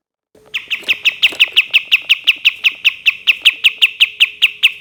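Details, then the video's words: Cream-vented bulbul in long 'tembakan' style, a steady run of clipped, evenly pitched notes repeated almost three per second and lasting throughout, over a low faint hum. "KAPAS TEMBAK TEMBAKAN PANJANG"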